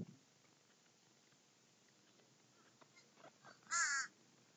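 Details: Crows feasting in a flock: after several seconds of quiet with faint distant calls, one loud, drawn-out, harsh caw rings out near the end.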